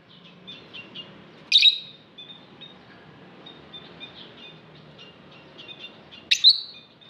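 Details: A lovebird repeats soft, high twittering notes, broken by two loud, rasping chirp bursts almost five seconds apart, against a low background murmur.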